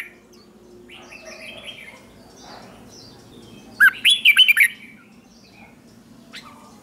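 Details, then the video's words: Morning singing of a red-whiskered bulbul trained for song competition: one bright, rapid burst of five or six warbled, slurred whistles, with softer scattered chirps before and after. "Luyện chào mào hót sáng hót hay"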